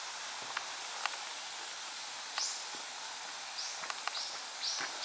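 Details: Red-billed leiothrix birds calling back and forth in tree shade on the Aotani path of Mount Maya on 21 October 2018, short high chirped notes, five in quick succession, over steady hiss with soft clicks and rustles.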